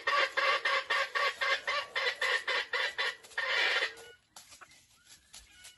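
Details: Decoy wild junglefowl in a trap, in battle: rapid harsh clucking notes repeated about four times per second for four seconds, ending in a brief buzzy burst before near silence.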